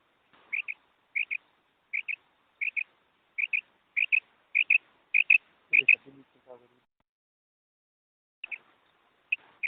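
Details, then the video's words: Female quail call used to lure birds for hunting: crisp paired notes repeated steadily about every half to two-thirds of a second, a brief low rustle around the middle, then a pause before the doubled notes resume. "Special female quail sound for hunt | Madi ki mast awaz kirk | شکار کے لیے زبردست مادی بیٹری کی آواز"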